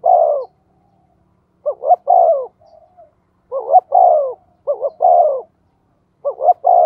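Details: Spotted dove kept as a decoy bird, calling fast to provoke others. It gives repeated husky phrases, each a quick two-part stutter and then a drawn-out descending coo, five groups in a row with short pauses.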